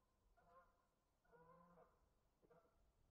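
Geese give three nasal, harmonic-rich honks about a second apart, the middle one longer and drawn out, over a faint low background rumble.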